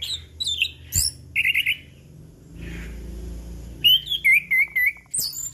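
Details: Chestnut-capped thrush song used as a lure to set off silent birds, for morning, noon and evening: bright whistled notes and slurred phrases, a fast buzzy trill, then a run of repeated down-slurred whistles.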